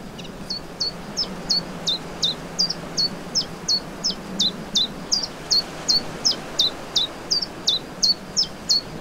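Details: Common chiffchaff singing in spring, 29 May 2023, in the Vilaine estuary, Morbihan, Brittany, France: a long, even run of about 25 sharp, high chiff-chaff notes, close to three per second, over a faint low hum.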